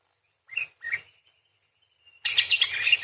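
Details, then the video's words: Parakeet singing vigorously: two short rising squeaky notes, a thin faint whistle, then an abrupt loud outburst of dense, buzzy, fast-pulsed chatter. "PARKIT GACOR !! full materi nembak panjang beset crecet roll basic dasar murai // parakeet bird call"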